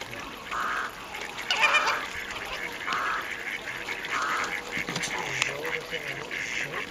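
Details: Captive Caribbean flamingos at WWT Slimbridge, recorded 4/5/2011, give nasal honking calls in short bursts, with a steady background murmur and faint voices.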